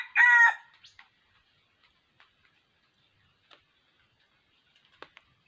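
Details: Short, loud, hoarse crow from a wild red junglefowl near a decoy trap, 6 January 2021, ending quickly, followed by near silence with faint scattered ticks.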